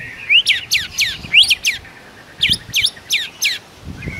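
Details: White-rumped shama (murai batu) singing vigorously in the morning, rich fill song: two bursts of sharp, steeply sweeping high notes, four or five per burst, separated by a short pause.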